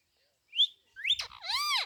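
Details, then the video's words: Pet rose-ringed parakeet, an Indian green parrot kept by its owner, gives a short rising whistle, then a harsh slurred note and a drawn-out arched, rich nasal call, before a person asks what it is saying. "Indian green parrot talking"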